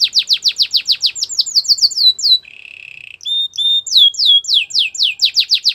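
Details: Belgian canary warming up its song for females: fast series of falling whistles, a brief low buzzy trill, then more rapid downslurred notes.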